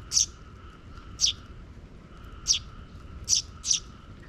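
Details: Sparrow chick and parents, the chick coming after the parents scout for safety; five sharp, high chirps spaced roughly a second apart, the last two close together, over a quiet low hum.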